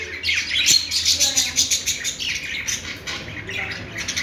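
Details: Budgie chirping as rapid, pulsing chatter, about three notes a second, scratchy and high, running almost without pause.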